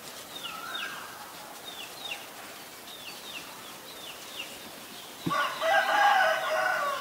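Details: A common iora, a resident bird in Thailand, gives thin, high, down-slurred whistles in quick pairs about every second; a rooster's loud, harsh crow breaks in near the end.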